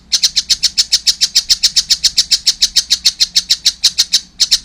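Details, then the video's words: Young collared kingfisher produces a continuous, rhythmic sequence of shrill grating kek notes, around three and a half per second, in a quiet setting. "wow masih kecil udah gacor , anakan burung tengkek buto"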